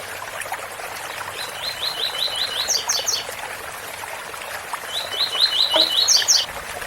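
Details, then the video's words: Tui-tui song of a double-collared seedeater against waterfall noise. Two phrases, each a rapid string of even repeated chips finishing in a few higher, brighter notes, with a short faint call between them. "Coleiro Tui tui bitola com som de cascata"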